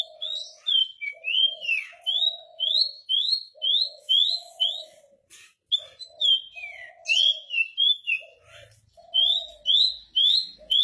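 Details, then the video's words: Caged Javan bush lark singing calmly from a stone perch in 'ngerol' rolling style: chains of sharp upslurred whistles repeated rapidly, with occasional swooping notes and short pauses, accompanied by lower droning tones. "Branjangan Javanica Gacor Istimewa - Ngerol Anteng"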